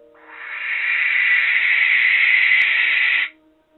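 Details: Young male barn owl in the UK calling by night from a tower to court a female during his first breeding season: one long, harsh, hissing screech of about three seconds, steady and breathy, over a faint hum.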